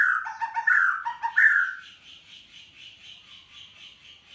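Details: White-rumped shama singing actively: a loud, fast, varied phrase of sweet whistles and chattering notes, followed by a soft series of evenly repeated high notes.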